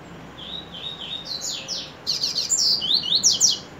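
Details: Double-collared Seedeater song opening with three level whistled notes, followed by descending buzzy strokes and a dense, twittering burst of rapid high-pitched sweeps near the end.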